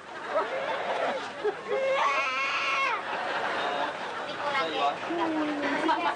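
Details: Pet parrot imitating a desperately crying baby: wavering, strained wailing notes with stacked harmonics, rising and falling over several seconds, with background room noise throughout.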